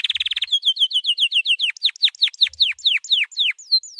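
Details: Training song of a white canary: a very fast high trill opens, then steady repeated chirps, a run of sharply falling sweeps, and a few long clear whistles at the end.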